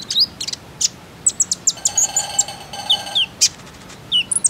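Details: Common iora calls used as a lure to get young birds singing: sharp, high chips and short upslurred whistles in loose bursts, with a sustained buzzy, harmonic note in the middle.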